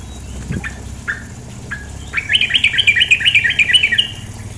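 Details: Female sooty-headed bulbul heard over flowing water: a few scattered single chips, then a fast, even run of about a dozen bright, bubbling notes lasting two seconds. Water rushes softly beneath throughout.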